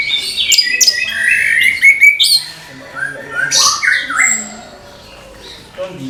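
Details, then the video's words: An orange-headed thrush sings in the morning: fast chattering high notes and upslurred whistles at first, fading into scattered softer phrases and lower warbles. "ANIS KEMBANG GEMERCIK SUARA DIPAGI HARI, MENAMBAH SEMANGAT ANIS MUDA BUKA PARUH"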